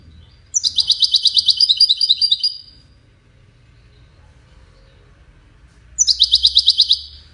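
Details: European goldfinch singing the Widani style of song, played for chicks to learn from: a bright, rapid, tinkling trill of repeated notes lasting about two seconds, then a pause and the same fast phrase starting again.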